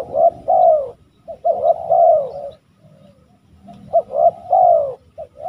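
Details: Spotted dove in West Java delivering a short bout of husky coos, a clipped note then a drawn-out falling one, a pause of about a second, then the phrase again.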